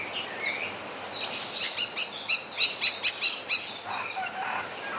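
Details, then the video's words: Javan myna singing a song that includes mimicry of a crowing rooster: a couple of slurred whistles, then a fast, stuttering series of bright, high chips, ending in a softer, lower, hoarse phrase. "UNIK BURUNG JALAK KEBO ISIAN AYAM JAGO BERKOKOK"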